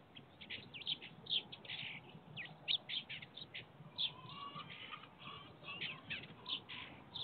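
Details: Birds in a willow tree on a sunny 7 October 2022 chirp and trill busily, with bright, high notes tumbling over one another.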